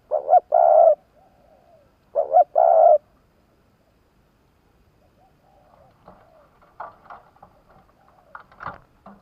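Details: Spotted dove decoy bird from Vietnam, kept to lure wild doves: two loud coo phrases at the start, a short doubled note then a sustained coo, followed by faint chatter, clicks and scattered softer sounds.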